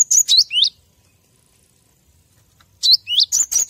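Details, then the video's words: Cinereous tit (gelatik batu), a master recording used to train captive birds: two bursts of sharp high whistled notes, each swiftly down-slurred, three to five in quick succession, separated by a long silent gap. "Masteran gelatik batu agar makin gacor"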